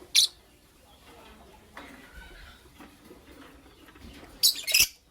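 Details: Lovebirds, Creamino alongside Lutino Opaline, chirping in the morning: one shrill chirp at the start, faint sounds in between, then a closing pair of sharp, high chirps.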